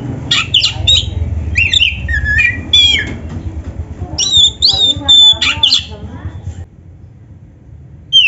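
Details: Oriental magpie-robin, black-breasted type, played to stimulate caged birds to sing: loud varied whistles, buzzy notes and squawky bursts for about six seconds, then quiet before a final whistled note; low hum underneath.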